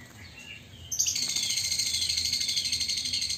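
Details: Chinese hwamei, a caged bird grown tame that often bathes in its cage morning and evening; after a second of near quiet, a dense, rapid run of buzzy, warbling high notes pulses continuously to the end.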